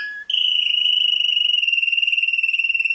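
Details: World-champion canary holding one long, even, rapid trill after a brief whistled note.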